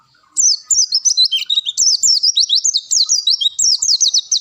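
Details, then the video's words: A long-tailed shrike delivers bongkar isian song on a masteran recording: a jumbled run of high squeaky whistles, with some dipping lower and others zigzagging, repeated rapidly for about four seconds. "Ngalas panjang bongkar isian."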